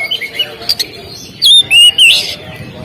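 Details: Oriental magpie-robin singing on a bird-contest stand, giving a few loud, clear whistled notes in a short burst after faint scratchy chirps, with low background murmur.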